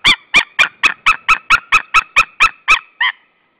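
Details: At a nest in Saunja, Estonia, a female white-tailed eagle calls for her absent mate on 26 March 2013, 16:45; a quick run of twelve loud, barking yelps, the final note softer and trailing off into silence.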